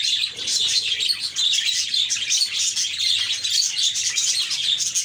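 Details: A group of happy budgies chirping: steady, busy high-pitched warbling with countless short squeaky notes and trills running together throughout.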